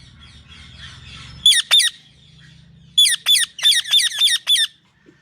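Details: Parrot kept as a talking pet gives two shrill screeches, then a rapid burst of six harsh, evenly spaced squawks, after soft chattering and a low hum at the start.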